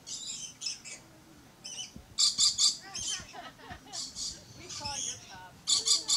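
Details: Shrill, grating screeches from a captive Red-collared lorikeet in Florida come in rapid clustered bursts, mixed with shorter chattering notes and faint low background murmur, ending in a fast triple screech.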